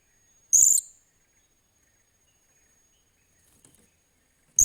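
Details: Blue-crowned hanging parrot being trained as a decoy bird, 28 July 2021, utters two sharp, high, squeaky notes roughly four seconds apart, with a very faint softer note between them and otherwise silence.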